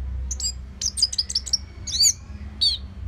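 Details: Orange-headed thrush, singing slowly as a lure for other birds: a varied run of high, thin, clear notes and short trills, some stretched and wavering, with brief pauses between phrases.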